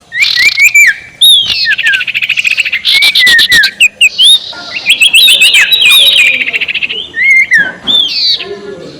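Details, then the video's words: Ashy tailorbird giving its ngekek call, used as a lure to provoke rivals: loud, busy stream of sharp chirps, rising slurred whistles and fast rattling trills packed closely together, with barely any pauses through the stretch. "SUARA NGEKEK SIRTU BIKIN LAWAN EMOSI || PANCINGAN SUARA BURUNG SIRTU"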